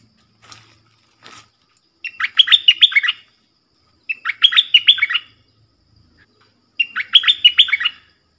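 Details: Cream-vented bulbul singing its 'double' song style, recorded 18 June 2021: three bubbly, chattering phrases of quick rising and falling notes, each about a second long, separated by short pauses, with faint soft notes at the start.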